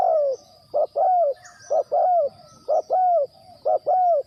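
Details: Spotted dove kept as a decoy for trapping, delivering clear low coos in pairs, a clipped hoot then a longer falling croon, repeated about every second. Another bird chirps faintly once in the background.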